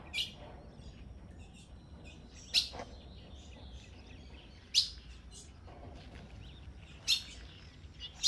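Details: Female blue-black grosbeak calling to stimulate the male on a winter morning in the caatinga of northeastern Brazil: sharp, bright chip notes spaced about two seconds apart over a quiet, low background hiss.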